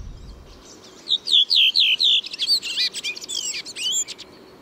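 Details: Redwing song from a recording made a year earlier: about five loud, clear, downslurred whistles in quick succession, the easily recognizable loud part of the song, then a fast, high twittering chatter, in quiet background.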